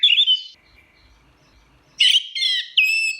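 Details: Orange-headed thrush: a short warbled phrase, a long quiet pause, then a burst of varied whistled notes followed by a sustained steady whistle.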